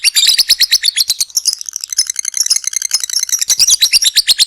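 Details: Lovebird 'ngekek' long trill used to excite other lovebirds into song: rapid, high-pitched pulsed chatter, briefly softer and denser in the middle, then returning to strong evenly spaced notes.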